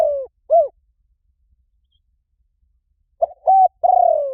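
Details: Spotted dove lure call with the tail of one cooing phrase, a pause of over two seconds, then the start of another: short note, level coo and a long downward-sliding vibrating coo.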